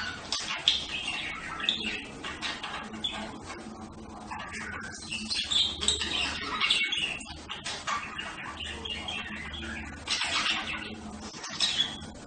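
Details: Budgerigar chatter, quieter and busier: many short chirps, warbles and squeaky notes overlapping continuously, with occasional louder rasping calls.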